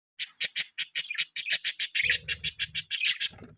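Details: Pet budgie making mating sounds. A run of short, sharp, high chirps repeats rapidly, about six per second, with a faint low rumble joining midway.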